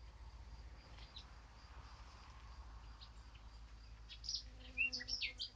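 Eurasian blackcap: scattered faint high chirps, then a brief burst of quick, rich warbled notes at the end, over a steady low rumble.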